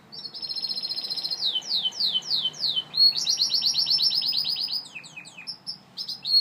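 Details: Gloster canary singing: a rapid run of bright descending slurred notes, then a fast buzzy trill and varied high chirps and whistles, continuous rolling phrases with a brief quieter pause near the end.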